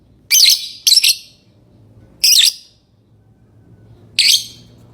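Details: Sharp, shrill lovebird chirps: a quick double burst, then single bursts spaced a couple of seconds apart, with a low hum underneath.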